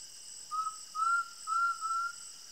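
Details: Undulated tinamou at sunset in the Brazilian sertão gives four mellow, whistled notes, each slightly rising, about half a second apart, with a steady high insect drone behind.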